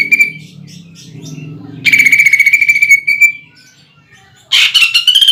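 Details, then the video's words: Greater green leafbird in 'nembak' shooting song with woodpecker-imitation filling: a short trill, then a long fast rattling trill that fades, then a harsh burst rising into a new rapid trill, over a faint low hum. "PANCINGAN CUCAK IJO GACOR NEMBAK ISIAN PELATUK BAWANG UNTUK LOMBA"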